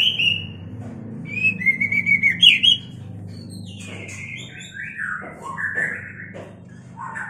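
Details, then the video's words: White-rumped shama singing in a mating context, for training cage birds: bright, whistled rising phrases with quick trills, followed by a softer run of descending slurred notes and short whistles over a low background hum. "Terapi MURAI BATU KAWIN | Burung macet auto gacor"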